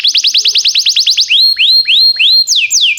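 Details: Canary song for training canaries, timbrado style: a fast trill of short descending notes, then slower rising whistled notes repeated about three per second, ending in two falling whistles.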